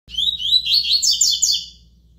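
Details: Double-collared seedeater (coleiro), a bird described as 'de fibra', singing in the tui tui style: a fast run of bright, high, slurred whistled notes for about a second and a half, then fading, over a faint low steady hum.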